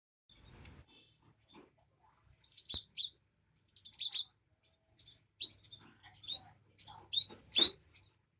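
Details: Cinereous tit, kept as a caged bird, played to prompt a bird that has stopped singing: sharp high whistled notes sliding downward, given in quick pairs and short bursts with brief pauses between.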